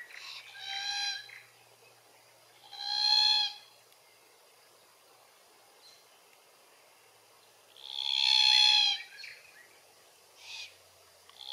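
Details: Glossy Black-Cockatoos in Capertee Valley, feeding on Allocasuarina verticillata. Drawn-out, grating, harmonic wails repeat irregularly, roughly every two to five seconds, some louder than others, with short softer notes between them.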